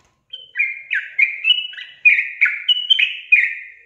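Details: A sooty-headed bulbul sings a lively run of around ten liquid, chirpy notes in under four seconds, each note briefly slurring downward. The recording is meant to coax reluctant bulbuls into song.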